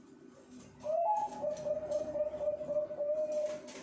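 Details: Breeding zebra doves caged at a bird farm in Pasuruan, singing: one long, soft trilled coo of quick, even pulses on a steady pitch, over a low background hum.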